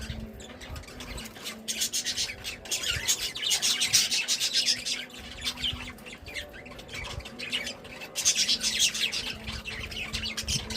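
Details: A group of budgies, called happy, chatter continuously in high buzzy chirps and warbles that rise into louder bursts, with a constant low electrical-sounding hum underneath.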